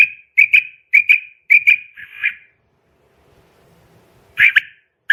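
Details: Female quail call used to lure quail for trapping: short sharp notes in quick pairs, repeated in a run for about two seconds, then a pause with faint low rustling before another pair of notes.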